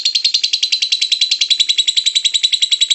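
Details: Shrill, rapid chattering from a lovebird in ngekek style, used to prompt other lovebirds to sing, about three to four sharp notes each second in a clean, steady stream.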